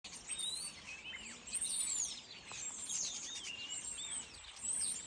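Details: A noisy flock of starlings in a fir tree chatters continuously, mixing high whistles, rising and falling slurs and harsh clicks in a dense, overlapping din.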